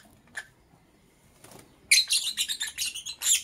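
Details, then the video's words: Morning lovebird chirping: a single chirp, then a rapid, continuous stream of harsh, high, scratchy chirps through the second half. "Sweet Lovebird Sounds - Chirping Sounds"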